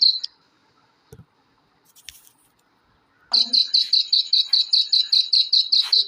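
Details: Black francolin chicks calling, used to rouse adult kala teetar: after about three seconds of near silence with a few soft clicks and rustles, a rapid run of high, piercing peeps starts, roughly four or five each second.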